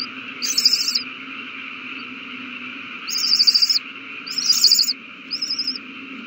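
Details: Young owls being fed, 27 March 2020. Three loud rasping, pulsed screeches spaced a second or two apart, then a softer shorter one, against a steady low background hum.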